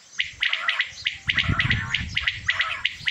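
Male common quail giving sharp, liquid three-note phrases, repeated about once a second, over a low background rumble.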